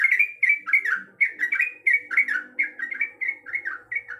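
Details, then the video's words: Female sooty-headed bulbul calling the male, delivering clear, well-spaced whistled phrases of two or three slurred notes each, repeated steadily, with only a faint tonal murmur behind. "Suara Dan Nyanyian Trucuk Gacor Yang Merdu"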